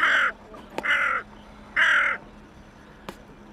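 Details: Three loud, grating caws from a hooded crow on the Elbe at Pirna, spaced under a second apart, with a couple of sharp clicks. The bird seemed alone among waterbirds, perhaps calling for companions.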